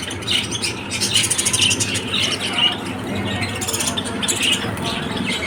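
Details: Shrill lovebird chirps in clustered bursts, some sharp squeaks standing out above a rough, continuous background rumble.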